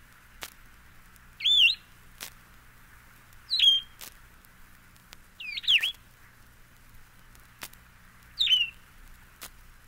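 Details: Solitary Vireo singing short, slurred whistled phrases, each a quick up-and-down warble, four phrases separated by pauses of about two seconds, with faint clicks between them and a quiet background.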